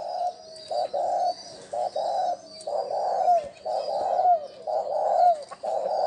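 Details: Spotted dove cooing as a decoy call to lure wild doves: low hollow coo notes in short clustered phrases, some with a faint upward flick, over a steady high insect-like hiss.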